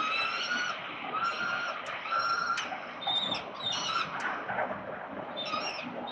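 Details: Peregrine falcons at the 367 Collins nest site in Melbourne, Australia, on 13 November 2022: a series of drawn-out, harmonic, wailing calls, each about half a second long, repeated with short gaps over a steady background hiss.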